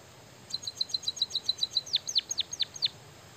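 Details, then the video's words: Song of a white-headed munia, singing energetically with canary-learned material: a rapid even string of high thin ticks followed by five loud whistled notes plunging steeply downward. "burung emprit kaji gacor isian suara kenari"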